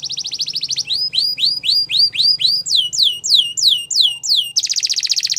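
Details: Belgian canary singing a varied song: a fast buzzy trill, then repeated rising-falling whistled slurs about four per second, descending sweeps, and a final rapid harsh trill.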